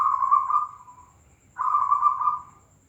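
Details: Zebra dove, a Tangguh Demak bird, giving two mellow, level cooing phrases about one and a half seconds apart. Each holds a steady mid pitch before fading away. Soft low rumble underneath.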